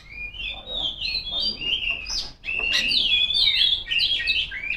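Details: Female Oriental magpie-robin calling rivals with flowing whistled song: sliding notes at first, then a louder, denser stretch of rapid, crossing whistles.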